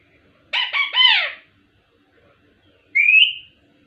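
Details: Talking ringneck parrot (miyan mithu): a quick cluster of three harmonic, falling speech-like syllables, then after a silence a single rising whistled note.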